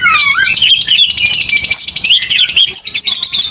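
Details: Oriental magpie-robin giving a heated fighting song, rich in varied phrases: a rising whistle opening into a dense, buzzy stream of scratchy notes and quick trills, loud and continuous throughout with faint low background noise.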